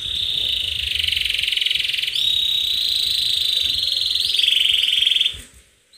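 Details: Canary in attacking song delivers a long continuous rapid rolling trill, steady and loud, with slight pitch shifts partway through, ending abruptly after about five seconds.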